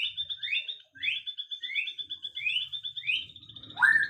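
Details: Afternoon birdsong: a bird repeats quick upward-sweeping chirps about every half second over a steady high, pulsing trill, ending in a louder, lower rising note.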